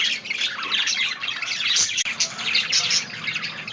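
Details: Budgerigars giving dense, continuous chatter: many overlapping high chirps, warbles and scratchy squawks running without pause, with a brief dip in loudness near the middle.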